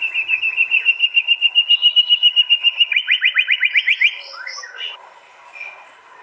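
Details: White-rumped shama singing at a song contest in East Java, recorded on an Android phone: a fast train of about twenty sharp repeated notes near steady pitch, then rapid rising buzzy strokes, ending in softer varied whistles.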